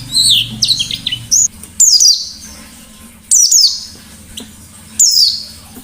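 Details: Caged white-eye in lively forest-style song, opening with a twittering run, then loud bursts of high falling notes roughly every one and a half seconds; low hum underneath.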